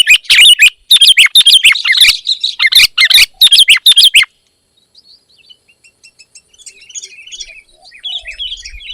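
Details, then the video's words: Sooty-headed bulbul in lively voice, chattering a dense, rapid stream of whistled and buzzy notes for four seconds, then silence, followed by soft, distant twittering. "Kicau Burung Kutilang Gacor"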